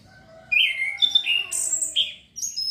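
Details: Song of an Orange-headed thrush meant to trigger breeding urge and frequent singing: after a quiet start, a string of bright whistled phrases stepping up and down, ending in very high thin notes.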